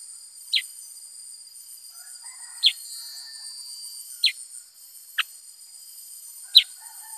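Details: Black-headed bulbul repeating short, high, falling notes at uneven intervals of one to two seconds; faint softer chatter and a continuous shrill drone in the background.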